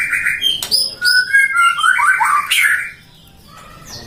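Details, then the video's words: Captive-bred white-rumped shama from a Depok breeder in a 'gacor' song: quick varied whistled notes, high and mid-pitched, with a few slurred downward phrases and sharp clicks. It falls quiet after about three seconds, leaving faint background hiss. "Burung Murai suara kicaunya gacor"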